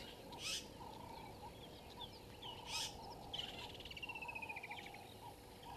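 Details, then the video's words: Woodland kingfisher perched in a tree by a dam wall at a waterhole in the Sabi Sand, South Africa, in the morning; a high, fast descending trill follows brief chirps, over a steady low hum and faint background calls. "Woodland Kingfisher in tree by the dam wall"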